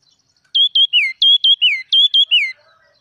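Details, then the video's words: Red-whiskered bulbul from the wild in song, one run of three identical whistled phrases, each two quick sharp notes followed by a drawn-out falling slur, loud and clear against a quiet background. "Chim chim mào rừng hót cực kì"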